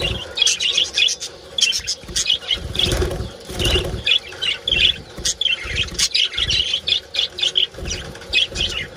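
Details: Budgerigar colony with mating calls: continuous high-pitched chirping and chattering from many birds, broken by soft rushing bursts like wingbeats or movement.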